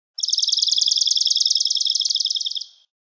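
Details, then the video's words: Swamp sparrow singing one steady, even trill of rapid chirped notes that lasts about two and a half seconds and fades briefly at the end. The background is otherwise silent. "Swamp Sparrow Song! Swamp Sparrow Call!"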